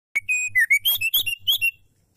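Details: Female white-rumped shama, a caged bird used to coax males into singing, giving a short run of clear whistled notes, some steady and some sliding, in a rapid sequence of about eight notes lasting under two seconds, with faint low background rumble.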